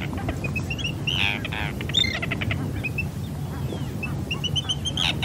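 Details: Arctic terns (Sterna paradisaea), field recording: harsh, rasping calls and short, clipped, repeated high notes from several birds, over a steady low rumble of wind or surf.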